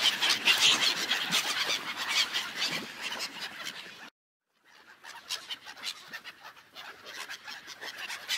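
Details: On an ice lake a seagull flock squawks in a thick, overlapping din, interrupted by a half-second silent cut, then resuming somewhat softer.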